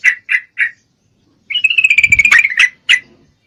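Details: Yellow-vented bulbul female in breeding condition, calling a male: three quick separate chirps, a gap, then a fast rattling chatter about one second long ending in two sharper notes.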